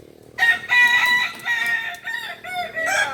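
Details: Ornamental Kukuak Balenggek rooster from Solok, West Sumatra, at a practice contest, giving a long tiered crow: a bright sustained opening note, then several shorter wavering syllables, each pausing briefly before the next.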